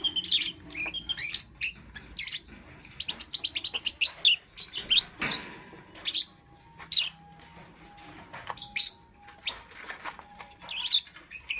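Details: Shrill lovebird chirps in the morning, a fast stuttering series of squeaky notes early on, then spaced single sharp chirps with short gaps, plus a faint steady tone in the background.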